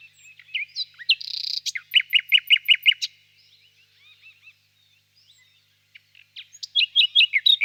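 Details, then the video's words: A nightingale sings quietly in a birch grove on a warm spring evening, a harsh buzz followed by a string of loud, evenly spaced piping notes, soft curled phrases, then a new burst of repeated notes. "Пение соловья"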